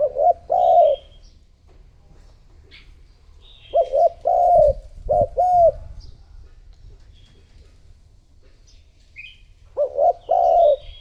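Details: Spotted dove decoy bird cooing to lure wild doves: short two- and three-note coos, mid-pitched and slightly rising, in bursts roughly every three to five seconds, with faint high chirps of other birds and low background rumble between phrases.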